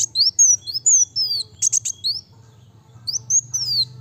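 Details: Kolibri wulung (kowul) sunbird singing fast and dense: high, thin, whistled notes that slur downward, quickly repeated, with brief buzzy bursts midway and a short pause before the phrase resumes; faint low hum beneath.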